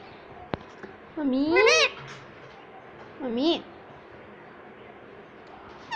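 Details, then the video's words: Pet ringneck parrot imitating words indoors: two loud rising-and-falling harmonic phrases about two seconds apart, the first longer, over a steady background hiss. "Talking Parrot _ Cute Ringneck Parrot"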